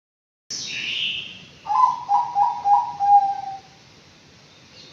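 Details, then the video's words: Five-month-old Anggungan kept in an aviary, giving a series of about five soft, pulsing cooing notes on one low pitch that trail into a drawn-out tone, after a brief higher hissy sound at the start. "BURUNG ANGGUNGAN USIA 5 BULAN"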